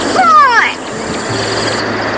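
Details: Grey Go-away-bird gives one loud, nasal, drawn-out call sliding downward in pitch, an alarm or agitation call given when it senses a threat or is disturbed, followed by quiet background hum.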